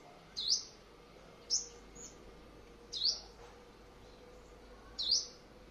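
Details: Morning exercise of a decoy white-bellied five-coloured sunbird, Quảng Ngãi, Vietnam, 21 May 2020: four abrupt, piercing high chips at irregular intervals of one to two seconds over a quiet background.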